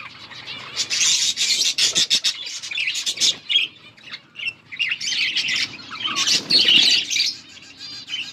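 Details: Colourful budgies chirping together: a dense jumble of many overlapping high chirps, warbles and short squawks, with brief quieter gaps.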